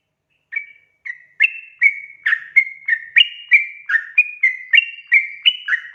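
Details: Gacor singing of Sooty-headed bulbul, played as a lure to get untrained birds singing; begins with two isolated whistles, then builds into a fast, regular string of bubbly notes stepping up and down.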